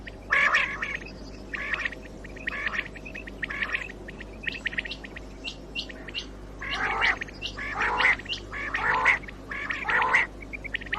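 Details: Common quail call, recorded to lure birds for morning hunting; spaced rasping bursts early on, then a quicker run of four loud calls about a second apart, with soft ticking in between.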